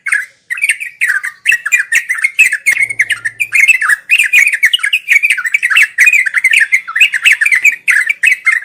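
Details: Sooty-headed bulbul delivering unbroken 'ngeropel' song, played daily for birds learning to sing: quick, bubbling warbles and chirps flowing continuously, with sharp clicking noises scattered throughout.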